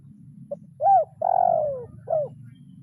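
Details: Calling a rival, a spotted dove lure bird in kuk 0-1 style gives a short note, a rising-falling coo, a long sliding coo, then a final brief arched coo, with a faint rumble underneath.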